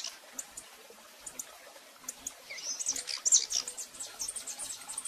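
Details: A female rufous-collared sparrow calling repeatedly, recorded live. Sparse, scattered high ticks at first, then a denser run of sharp, very high chips in the second half over a soft hiss.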